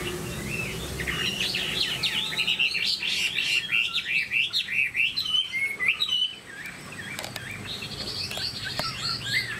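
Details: A tame cage-kept Chinese hwamei sings a dense run of loud, slurred whistles rising and falling, which stops abruptly after about six seconds, leaving quieter background sound with a few faint notes.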